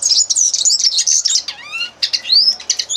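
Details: Fast, high twittering from a common linnet, with a couple of clear rising whistled slurs set among chattery phrases.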